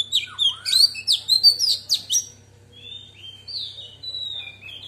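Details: A female Oriental magpie-robin sings in wild-type voice to stimulate males: a rapid burst of varied, sweet whistled notes, then softer thin drawn-out whistles, over a faint steady low hum.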